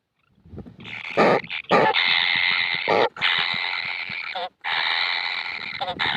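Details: Kingfisher chicks asking for food, said never to be satisfied: loud, grating, noisy begging, first in short rapid bursts, then long sustained rasps broken by short gaps.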